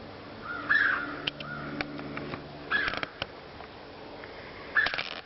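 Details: Unidentified bird heard but not seen in Komoka Park, 2010: short, slightly rising mid-pitched call notes repeated about every two seconds, with scattered sharp clicks and a low background hum.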